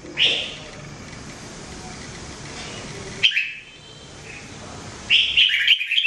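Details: Red-whiskered bulbul (jambul) song used for training: short bright phrases of rippling whistled notes, repeated three times with a quieter gap and light background hiss.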